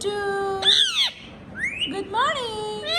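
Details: Pet Indian ringneck (rose-ringed) parakeet talking in a shrill, nasal voice: quick word-like syllables sliding up and down in pitch with brief pauses, among phrases like "Mommy", "Good morning", "peekaboo" and "meow".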